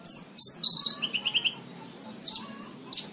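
Horsfield's bush lark in a fast, high song of sharp chirps and trills, with a quick run of five clipped notes. A faint low hum sits underneath.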